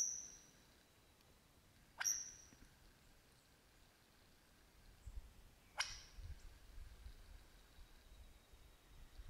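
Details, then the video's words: Superb lyrebird singing in the Australian bush and mimicking other birds such as crow, kookaburra and magpies. Three sharp whip-crack notes, each ending in a high ringing tone, come over nine seconds against faint rumble and wind. "The Australian Lyrebird singing"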